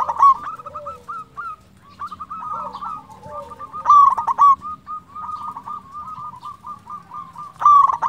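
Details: Local zebra dove, in active song, used as a lure to draw rival doves to answer: loud throaty rolling coo trills near 0:00, 4 and 7.7 seconds, over a steady chorus of many other doves cooing in the background.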